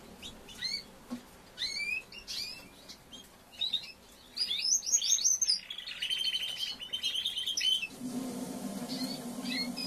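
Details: Young male Timbrado canary after moulting, trying out and practising its song: halting sequences of whistled chirps and short trills, then a longer rolling trill, with a low hum entering near the end.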